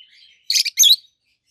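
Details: Peach-faced lovebirds, two healthy green adults with red and yellowish-white faces, give a soft thin twitter followed by two loud, harsh, shrill chirps in close succession.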